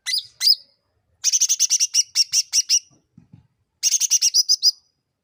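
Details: Sooty-headed bulbul lure sound for provoking other birds: two hooked chirps, then fast rattling series of dense high chips, about six per second, a few faint low taps, and another rapid chattering burst.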